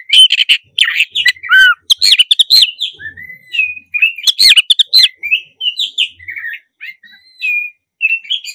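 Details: Black-breasted oriental magpie-robin singing in the morning, used as a lure to stir other birds into song; a rich, varied run of whistled phrases, sharp chirps and quick trills, rising and falling, with brief pauses, no other sounds.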